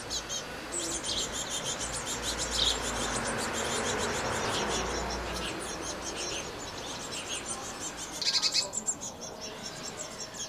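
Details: Blue tit at a nest box in May 2020, giving thin, high chirps and brief buzzy notes, with a short trilled burst near the end, over a steady hiss and other faint birdsong.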